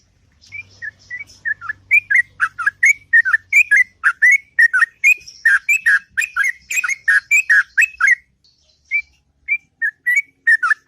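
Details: Sooty-headed bulbul singing in the morning in long, melodious ngropel style: a rapid run of short whistled notes, dipping and rising, about two per second, with a pause near eight seconds before sparser notes; faint low hum early on.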